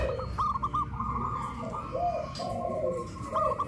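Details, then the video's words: Local zebra dove in West Java, Indonesia, hoisted on a pole and cooing loudly: a run of rapid rolling coos, then lower drawn-out notes and another short rolling burst, over a murmuring background. "PERKUTUT LOKAL SUARA BESAR VS SUARA KRISTAL"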